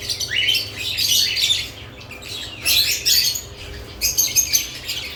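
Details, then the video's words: Lovebirds active around newly added nest boxes, giving dense bursts of high, shrill chirps and squawky twitters in clusters separated by brief quieter gaps. "Lovebirds add nest boxes activity & chirping sounds"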